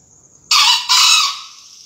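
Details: A 2020 contest entry of a green junglefowl crow: one loud, broad, hoarse call split into two quick bursts, the second trailing off, over a steady high insect whine.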